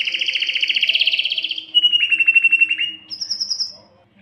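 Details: Canary singing to attract a female mate: a fast pulsing trill, then a lower rolling phrase with clear repeated beats, ending in a brief high trill that fades into silence.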